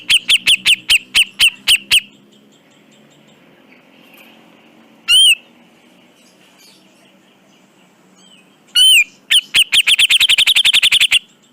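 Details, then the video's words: Black-crested bulbul, known locally as cucak jenggot, giving a rapid series of sharp repeated notes, two brief slurred whistles after long pauses, then a fast rattling burst; low steady hum in background. "Masteran Burung Cucak Jenggot Dijamin Langsung Nyaut"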